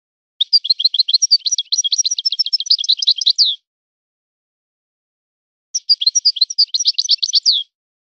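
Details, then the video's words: European goldfinch, singing in the manner of a named breeder's birds, delivers two long phrases of rapid, high, tinkling twitters separated by a two-second pause. The background is quiet. "طائر من طيور لي تاتغرد على نمط طيور سي حسن الكلوب ولد الغابة"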